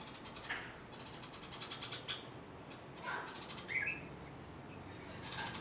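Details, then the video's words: Parent Red-vented Bulbuls scold a person near their nest of three chicks in a flowering plant at a home, giving a few harsh, scratchy notes and brief chirps at irregular intervals over soft hiss. "Parent bulbul birds r scolding me"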